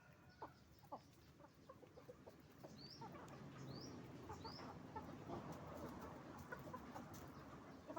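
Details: Chicken farm with roosters and hens: scattered short clucks early on, then a denser murmur of flock noise, with a few thin rising chirps and a constant low hum underneath.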